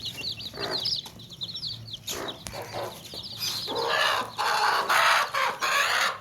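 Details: Baby chicks chirping in a tokri basket: high rapid peeps early, then louder broadband clucking and squawking bursts from hens dominate the second half.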